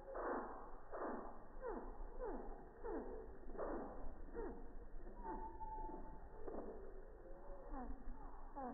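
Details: Slowed-down hummingbird song recorded at close range by a feeder on a quiet, busy morning. Steady series of falling, sweeping notes repeats roughly twice a second, with a brief steady tone midway.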